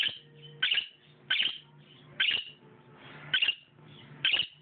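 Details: Pet bird calling for a companion bird in another room, possibly to announce water; loud two-part chirps repeated roughly once a second, rich harmonic squawky notes with faint low indoor hum between calls.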